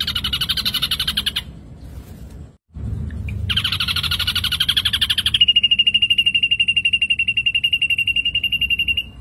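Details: Ashy drongo singing vigorously as a lure: two harsh, buzzy chattering bursts split by a silent gap, then a long, fast, even trill of high pips.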